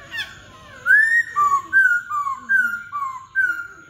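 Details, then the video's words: Laughingthrush singing clear whistled notes, a series of short level and slightly rising phrases about twice a second, sweet and piping, in a quiet setting. "Khướu bạc má ...!"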